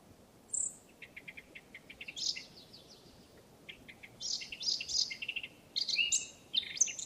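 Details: Eurasian blackcap, a free wild bird, singing: a run of quick, evenly spaced ticking notes, then bursts of rich, rapid warbling with high fluty whistles, in several phrases over soft background hiss.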